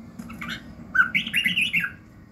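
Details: Red-whiskered bulbul singing in the morning for voice training: a clear whistled note followed by a fast, rolling warble, over low background noise.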